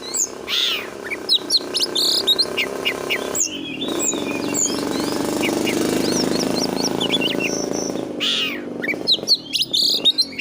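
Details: Oriental magpie-robin song of high whistles, slurred notes and chirps, partly masked by a loud steady rumbling noise through the middle of the recording.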